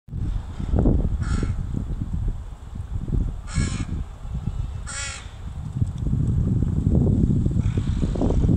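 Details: Crow caws while a mother teaches her young to forage, recorded 26 July 2019: three harsh, harmonic caws spaced about one to two seconds apart, over steady low rumbling background noise.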